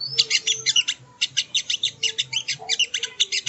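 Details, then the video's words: ['Sogo ontong (sogon) singing as training audio: a continuous stream of sharp, high twittering notes repeated several times a second throughout, over a faint background drone.'] "Masteran Burung Sogon ( Sogo Ontong )"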